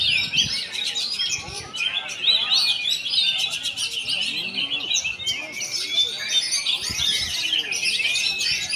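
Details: Singing oriental magpie-robin (kacer), labelled a champion fighter, pouring out a continuous fast chatter of high twittering notes, sharp clicks and brief sliding whistles, with faint low knocks underneath.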